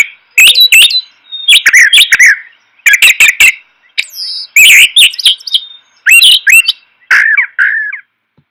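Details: Brown thrasher (Toxostoma rufum) song: a lively run of varied, rich, slurred and buzzy phrases, many given twice in quick succession, the repetition being the key identification feature.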